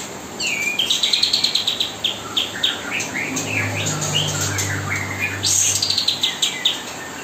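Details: Kapas tembak mastering song played nonstop while fledglings are fed: bursts of fast, high, buzzy chattering trills alternating with short whistled slurs, a low hum underneath and constant background hiss.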